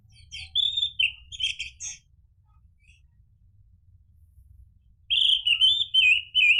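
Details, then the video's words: Orange-headed thrush song meant to coax another thrush into singing: two bursts of rich, warbled whistled phrases with rapid slurred notes, a silent gap between them, over a faint low hum. "PANCINGAN ANIS MERAH biar bunyi NYAUT JADI GACOR ikut NGEPLONG"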